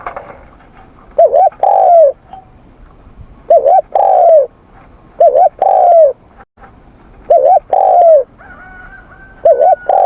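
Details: Spotted dove cooing in the morning during voice training: loud phrases of two short wavering hoots followed by a longer descending coo, repeated about every two to three seconds, with a faint thin whistle near the end.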